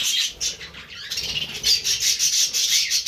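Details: Budgerigars, kept with cockatiels, keep up a rapid warble of buzzy pulses and thin high squeaks, several birds calling together in quick succession.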